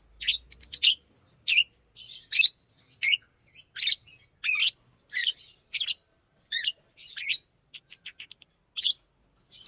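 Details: Singing green Fischer's lovebird, chattering harsh chirps at an uneven rhythm, roughly forty a minute, with softer scratchy notes tucked between the louder ones.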